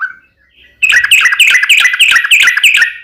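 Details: Sooty-headed bulbul bursting into a rapid ropel run in fighting style: after a faint opening note, a dense, chattering stream of bubbly whistles fills the rest of the clip.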